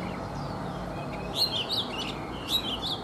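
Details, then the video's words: Oriental magpie-robin, an old wild-caught bird caged for three seasons, singing in the morning: a soft whistle, then two short bursts of bright chirps and twittering notes about a second apart. "Chòe Than già rừng - 3 mùa lồng hót buổi sáng"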